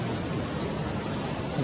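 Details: Black-and-orange flycatcher calling excitedly: one thin, very high whistled note, drawn out for about a second and wavering slightly, over a low steady rumble of background noise.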